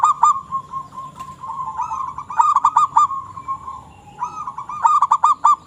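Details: Zebra dove of a local strain in persistent calling: a steady mid-pitched tone punctuated by bursts of quick, rolling staccato notes every couple of seconds.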